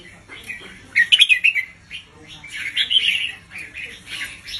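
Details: Red-whiskered bulbul teacher bird singing a doubled 'bern' song to teach young birds; a quick burst of sharp notes, then a longer run of rolling, bubbly warbles.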